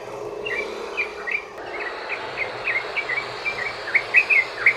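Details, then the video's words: Yellow-vented bulbul in a long rapid 'ropel' song used as a lure to set other bulbuls singing: short chirping notes strung in quick succession, growing louder toward the end over a steady background hum. "trucukan ROPEL PANJANG buat pancingan burung trucukan agar bunyi jadikan trucukan gacor NYAUT"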